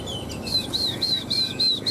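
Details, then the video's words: Caged Chinese hwamei, one of two tame birds kept three years, in fighting song: a short bright high whistled note repeated about every quarter second, each a brief level trill. "Họa mi hót đấu"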